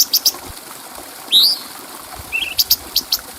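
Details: Brief clear-voiced bulbul phrase meant as a tutor sound for other birds. A few sharp high ticks lead into a loud, upswept whistle, then a short low wavering note and a run of crisp ticks.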